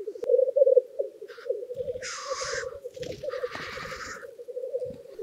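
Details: Black grouse males at a spring swamp lek at the end of April, early morning around 5 am under a clear sky, keep up a steady, low, dove-like bubbling, broken by loud hissing sneezes.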